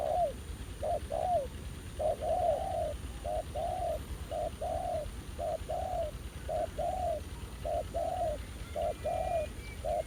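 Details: Wild spotted dove male vigorously engaging a ground decoy at an old trapping site. A long run of soft low coos, short and stretched notes in a steady pulse, with a brief high thin bird call near the end.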